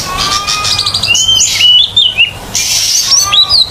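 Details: Oriental magpie-robin (kacer) in vigorous song, meant to prompt silent magpie-robins to sing: fast varied sweet whistles, slurred upward and downward phrases, over steady hissing background noise.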